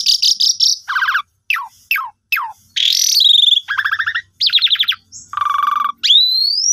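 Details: Asian pied starling song, played to coax silent birds into singing. Jumbled high whistles give way to steep downswept notes, grating buzzy chatters and a final long rising whistle, over a quiet background.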